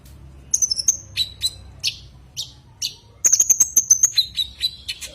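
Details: Common iora calling to a rival: whistled notes and scattered chips, then a rapid run of sharp ticks under a sustained high whistle dropping to a lower whistle.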